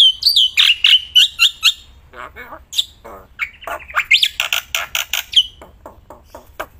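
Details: Black-winged myna, a captive contest bird, singing loud and unbroken outdoors and in hand: harsh squawking notes and whistles mixed with grating buzzy calls and sharp chips.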